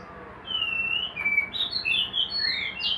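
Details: Caged white-rumped shama, raised in a hanging cage, gives long, sustained pure whistles that glide and step between pitches, following one another without a break over a low steady background hum.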